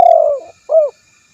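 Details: Spotted dove coo: a loud sustained note sliding gently downward, then after a brief gap a shorter arched coo, low and mellow.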